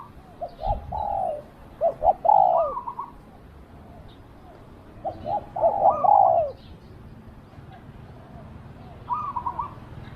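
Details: Cooing of a spotted dove kept as a decoy for luring wild doves: two clear phrases of brief notes ending in a longer downslurred coo, plus a softer stuttering fragment near the end; quiet background.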